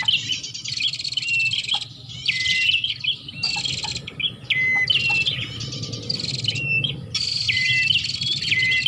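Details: Lure recording of bar-winged prinia for attracting birds. Bursts of harsh, buzzy chatter, each about a second long, are separated by short gaps and punctuated by clear, downward-sliding whistles. A faint low hum runs throughout.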